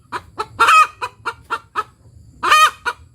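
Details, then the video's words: Hen of the Indonesian village breed cackling after laying: rapid evenly spaced short clucks with two loud long 'petok' cries, over a low steady hum. "Suara Ayam Kampung Betina Tekotek "TOK TOK PETOOOK""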